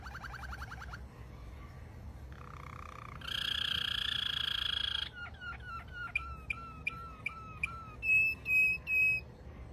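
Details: Malinois canary song in varied tours: a short rapid trill, a lower pulsed phrase, a loud harsh buzzy passage, a series of quick down-slurred notes, then three loud, clear, high whistles.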